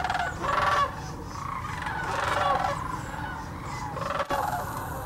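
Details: Migrating sandhill cranes at Hiwassee Wildlife Refuge, Birchwood, East Tennessee: several close, rolling rattled calls of under a second each rise over the background clamor of the large flock, with a brief knock near the end.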